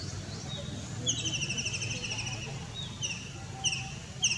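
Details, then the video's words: White-throated kingfisher perched on a signal tower in an Indian city gives a loud, shrill, pulsed trill of about a second, then three shorter bursts, over a low background rumble. "White throated Kingfisher bird | Kingfisher bird sound"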